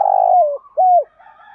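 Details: Spotted dove cooing in the thúc gù lure style to attract other doves: a loud purring coo that drops at its end, a brief gap, then a clear coo with a downward slide, and soft fainter sounds after.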